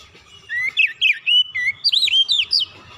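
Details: Relaxed Oriental magpie-robin song for coaxing untrained birds to sing: a continuous chain of varied whistles, slurred upward and downward, with quick chirps between.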